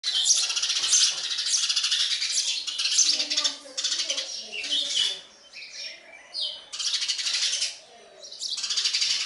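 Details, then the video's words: Sparrow chicks being fed by a parent, giving dense, high, buzzy chirping in loud bursts that stop and start every second or two, with brief quieter gaps between. "Sparrow bird feeding food to baby birds"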